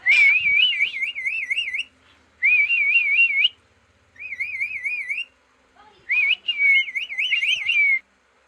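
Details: Green parrot whistling: four bursts of clear, wavering trilled whistles, each lasting one to two seconds and separated by short pauses, the tone rippling up and down rapidly.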